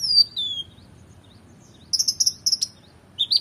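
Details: Oriental magpie-robin in energetic, full song with rich fill-ins, used as tutor material for competition birds: a high whistle sliding down, a pause, then a burst of short sharp chirps and a final rising whistle.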